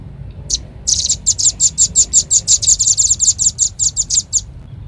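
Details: Velvet-fronted nuthatch lure call used to attract birds: a brief opening chip, then a fast run of sharp, very high, dry chips, evenly repeated about three per second.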